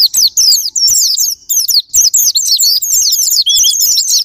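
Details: Japanese white-eye singing as a sparring partner to provoke other pleci. Busy, high-pitched warbling twitter of quick rising and falling squeaks in bursts, separated by tiny gaps.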